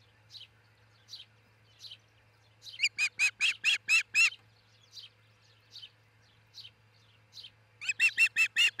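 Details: Osprey pair at their nest near Charlo, Montana, on a nest camera, 22 June 2018 before dawn: soft high chirps every half second, then two bursts of loud, rapid, harmonic whistled cheeps, about six per second.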